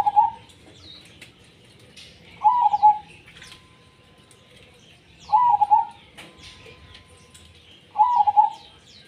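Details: A steady zebra dove sings tumpang sari style, giving four rolling, trilled coo phrases almost evenly every three seconds, with faint high chirps from other birds between them.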